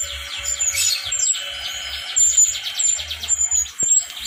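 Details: Wild-caught brown-chested jungle flycatcher from Bali, said to be male, singing a run of very high, thin whistled and twittering notes. A steady low hum pulses underneath throughout.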